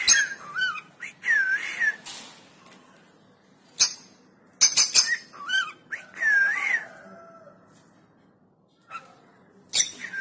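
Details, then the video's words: Cockatiel in a room giving whistled, wavering slurred notes between sharp clicks and squeaks, with pauses between bursts and low background room noise. "Singing Cocktail"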